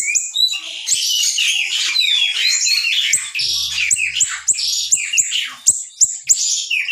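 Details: Young siri-siri singing constantly, offered as a model for training songbirds: a dense, unbroken flow of high, piercing whistles and sharp chipped notes, with slurred rising and falling phrases packed close together.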